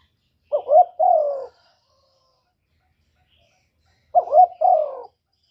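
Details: Spotted dove singing a 'kuk 1' style song, used as a lure for other doves: two mellow cooing phrases of three notes, a quick wavering double coo and then a longer falling coo, about three seconds apart, in a quiet setting.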